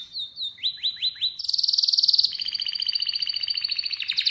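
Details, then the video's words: Atlantic canary singing: a few swooping whistled notes, then a loud, fast, ringing trill that drops into a lower pulsed roll, clear and strong. "Atlantic Canary sings in an amazing voice"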